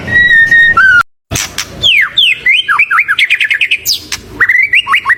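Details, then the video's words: White-rumped shama singing loudly, used to stir other birds into song. Sustained whistles open the phrase, then after a brief break comes a fast run of sweeping, slurred whistled notes that rise and fall, ending in chattering rolls. "SUARA MURAI BATU GACOR UNTUK PANCINGAN BURUNG"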